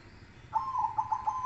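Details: Zebra dove, a Silver variety, singing in contest style: a low cooing phrase near one pitch, opening with a short note and then four or five soft pulsed coos run together across about one second.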